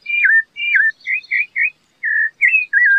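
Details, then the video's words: Loud, clear whistled phrases of a rufous-bellied thrush, falling slurs and short warbled notes with brief gaps between them. "sabia laranjeira cantando canta muito bonito"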